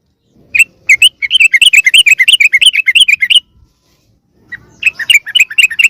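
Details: Yellow-vented bulbul lure call, used to draw wild bulbuls close: rapid bursts of bright chattering notes, roughly three per second, then a short pause and a fresh burst of the same scratchy chatter.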